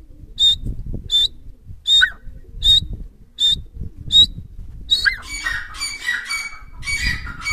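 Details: A wild francolin pair in the breeding season: a series of short, sharp, high whistled notes repeated roughly every 0.7 seconds, then a busier run of overlapping chattering notes toward the end, over low rumbling background noise.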